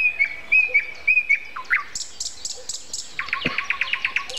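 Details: A common nightingale singing at 7:55 on April 29 repeats a clear whistled note several times, then moves into fast, sharp repeated notes in the morning air, with other birds faintly behind.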